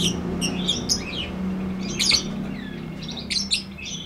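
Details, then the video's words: Lovebird in a long ngekek song used as a tutor recording. Quick high chips and squeaky notes come in short groups, then a pause, then a second scratchy burst, over a faint low droning hum. "MASTERAN LOVEBIRD NGETIK NGEKEK PANJANG FULL DURASI!!"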